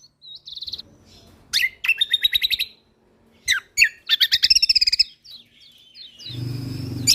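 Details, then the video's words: Lombok white-eye (kecial kombok) on a training recording for songbirds. Short high trill, then varied sharp chirps and rapid note series with slurred, wavering phrases. A low rumbling noise rises near the end. "Masteran Burung Kecial Kombok Lombok Gacor Full Tembakan Mewah"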